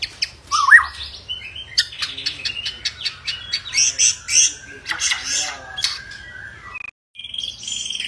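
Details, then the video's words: Agitated white-rumped shama, singing to provoke rival shamas into song: dense harsh, raspy notes and chattering bursts, with a few whistled slurs, ending after a brief pause in a higher thin phrase. "Murai Batu Ngamuk Rekomended untuk Pancing MB lain ikut Gacor + Fighter"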